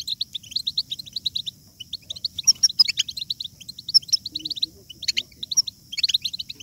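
A European goldfinch sings a fast, tinkling stream of high twittering notes and liquid trills, with sharper bright accents, over a faint low hum.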